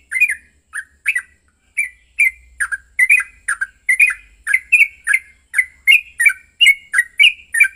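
Yellow-vented bulbul giving rapid, bubbly chattering notes, about two per second, with sharp bright accents. An agitated fighting song; no other sounds.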